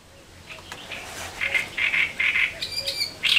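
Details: Great reed warbler by the Elbe river in Germany, singing harsh, grating repeated syllables, each a short burst about a quarter second long, in a quick uneven series that grows louder toward the end.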